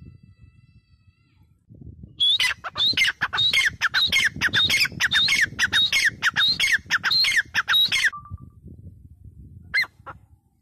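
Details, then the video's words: Grey francolin bursting into a loud, harsh run of squawking notes with shrill whistled inflections, fast and uneven, after quiet background; the series stops abruptly, then one last isolated note follows. "GREY FRANCOLIN SOUND {VOICE}"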